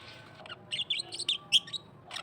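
An Australian parrot chatters in quick, high, squeaky chirps, a rapid run of bright notes after a brief quiet start, ending with a short scratchy burst.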